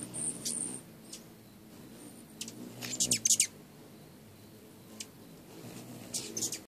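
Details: A charm of Rufous hummingbirds being hand-fed, flying all around and whizzing past: very high, thin chips, scattered singly with a quick rattling cluster midway, over a soft low rumble of background noise.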